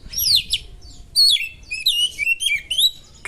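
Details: Oriental magpie-robin (kacer) singing sharp 'materi' phrases of small-bird mimicry meant to stir other kacer; high whistled slurs and quick twittering notes, rising and falling, in short bursts with brief pauses.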